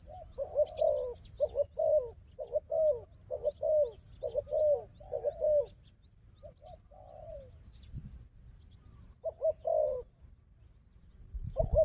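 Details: Wild dove said to be strong at fighting, with a decoy: a fast run of low rolling coos about every half second, then a pause and a few more coos, with a thin high chirping line and a thump at the end.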